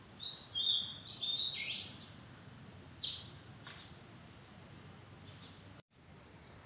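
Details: An Oriental magpie-robin in a madan tree arbor delivers a lively string of varied high whistles and sliding notes, then sparser single notes. A brief dropout in the sound occurs near the end.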